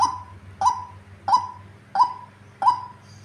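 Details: Tame female white-breasted waterhen in persistent calling: five evenly spaced, clipped notes, each opening sharply before trailing into a level mid-pitched tone, about two per second, with a faint low background hum.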